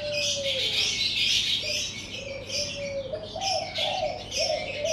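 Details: Morning birdsong outside a house: a busy chorus of bright high chirps and trills, with a lower line of soft, drawn-out cooing tones, some rising slightly, recurring steadily beneath.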